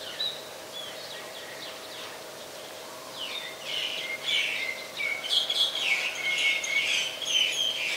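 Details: Common myna (Acridotheres tristis) in Ubon Ratchathani, Thailand, 15 December 2020, recorded on a Nikon P1000: a run of harsh, chattering notes and descending whistles, quiet at first, then growing louder and denser over steady background hum.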